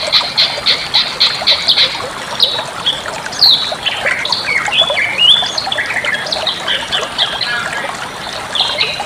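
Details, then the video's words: Bali myna song for teaching other birds: begins with a series of short harsh rasping notes about four per second, followed by a jumble of whistled slurs and chattering. "suara masteran burung jalak bali"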